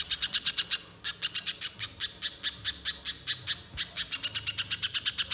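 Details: Fast, continuous chip series from a little spiderhunter, meant as a lure to get birds singing at length: hard, high, staccato notes in long runs, with one brief break after the first second.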